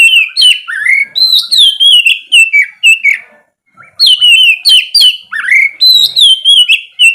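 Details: Oriental magpie-robin in full ngeplong morning song, used as a lure for idle kacer: dense, loud whistles tumbling downward and rising slurs, almost continuous apart from one short break.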